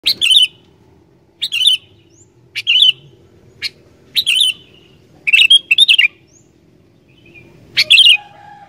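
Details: Sooty-headed bulbul song played to make wild bulbuls sing: loud bursts of bright, warbled chirps repeated roughly every second or so, each a short tumbling phrase, with quiet gaps between and a faint low hum.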